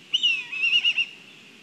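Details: Black kite at a nest in Kurzeme, Latvia, during a food delivery, on a live nest camera: one brief, high, thin whistled call that quavers in quick pulses for about a second before fading.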